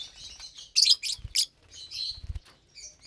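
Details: Pet lovebirds at morning mealtime; a few intense, harsh high squeaks among softer twittering, with low tapping sounds of pecking in the background.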